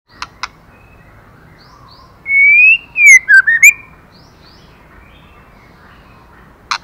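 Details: Female white-rumped shama stimulating the male: a long clear whistled note rising then falling, followed by quick slurred whistles dipping and rising, bracketed by sharp dry clicks at the start and end.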